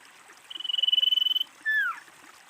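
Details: Female common iora calling, used as a lure to draw in other ioras: a fast buzzy trill held level for about a second, then a short clear whistle sliding steeply downward.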